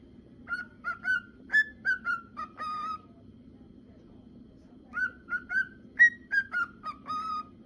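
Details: Whistling of a male cockatiel: two phrases of clear whistled notes, rising, level and falling, ending in a held tone, with a quiet gap of about two seconds between them and a soft steady hum behind.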